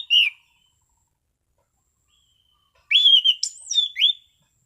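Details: Relaxed 'ngeplong' song of an Orange-sided thrush in prime condition: one clear whistled note, then after a pause a richer run of warbled, sliding whistles with high sharp accents. Quiet background.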